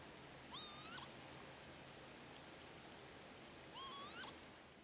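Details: At the Azot bio-ponds by Berezhany village, a male northern lapwing gives two upslurred nasal whistles with layered harmonics, about three seconds apart, over quiet steady hiss.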